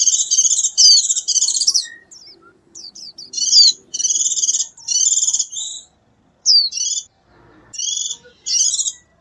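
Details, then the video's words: A white-eye sings in the wild to gather its flock, pouring out high, fast, jumbled twittering phrases with bright slurred whistles, broken by brief gaps and a few isolated chips. "Tiếng chim khuyên líu hót gọi bầy ngoài tự nhiên"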